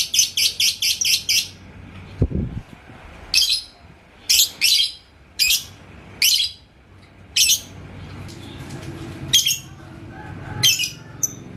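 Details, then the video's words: Lovebird, a yellow lutino type, provoked by a rival bird's song in Indonesia: a short rapid chattering burst, then separate harsh chirping bursts every second or so, with a low thump and quiet background noise. "MASTERAN si LABET KONENG Burung GACOR ke Pancing NGEKEK"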